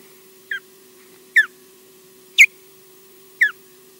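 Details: A female osprey, EJ, calling on her nest at Loch Garten, Scotland, instead of going fishing early, gives four sharp, high, down-slurred whistled chirps, roughly one a second, over a steady low electrical hum.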